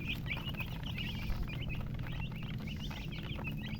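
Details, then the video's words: Chicken chicks peeping: a dense run of short, high, slurred chirps overlapping throughout, over a steady low hum. "MURGI Baby "Chicks Chirping" Sound"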